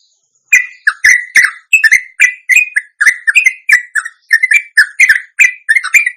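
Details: Sooty-headed bulbul (trucuk) from Indonesia in an extended ropelan for luring others to sing: an unbroken chain of short, mellow, slurred notes, roughly two to three each second.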